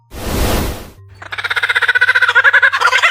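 A lyrebird gives a fast run of harsh, nasal, ringing notes, about seven a second, that climb slightly in pitch. A brief rushing noise comes just before.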